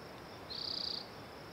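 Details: A spotted towhee gives a brief buzzy trill of quick, even pulses, high-pitched and about half a second long. Continuous high hiss behind it.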